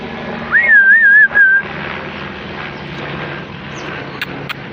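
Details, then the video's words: Parrot giving one clear whistled phrase of about a second that wavers up and down in several quick undulations, over a steady loud engine-like hum, with a few sharp clicks later. "Parrot chirping sound"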